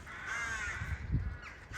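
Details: A crow in a forest in Thailand, near where crows fly in to roost at their nests, gives one drawn-out, hoarse caw, then starts a shorter rising one; a low rumble of wind or handling underneath.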